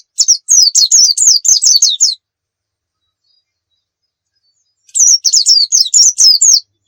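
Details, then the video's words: Oriental white-eye singing actively as a tutor for other birds, in two bursts of about two seconds of quick high zigzag twitters, separated by nearly three seconds of silence. "suwara burung pleci gacor cocok buat masteran"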